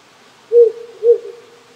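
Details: A wild owl near a rural house in Japan, at night in spring on a cold night with few insects or frogs, gives two low, soft hoots about half a second apart, each with a trailing tail, over a stream's hiss.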